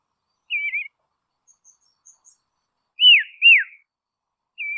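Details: Tasmanian Dusky robin: a brief wavering whistle, a pause, then two strong down-slurred whistled notes and the start of another; quiet faint chips between phrases.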